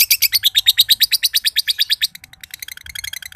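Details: Green josan lovebird, a contest bird from Mojokerto, giving a ngekek trill: two seconds of loud, even, harsh notes about eight per second, then fainter rapid clicking notes.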